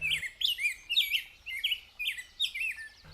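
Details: Rose-breasted Grosbeak (Pheucticus ludovicianus), a migrant along Beargrass Creek in Kentucky, singing a rich, sweet, robin-like warble of short rising and falling whistled phrases, about two per second.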